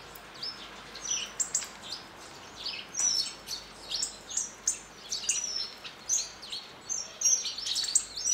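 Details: A flock of hawfinches feeding at a back-garden feeder in northern Hungary produces a dense, steady stream of sharp high ticks and short squeaky notes, many birds calling nearly continuously.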